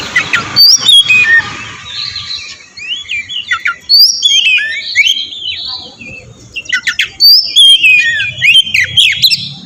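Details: Oriental magpie-robin lure song to make untrained birds respond: bursts of bright, clipped whistles and warbled phrases repeated in short groups, with sharp clicks and a soft background hiss.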